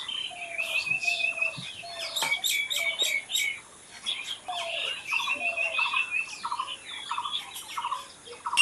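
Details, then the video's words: Birds chirping and singing outdoors: a rising buzzy note repeated steadily, long high whistles, and bursts of sharp clicks and chips from several birds overlapping throughout. "Natural Birds Chirping"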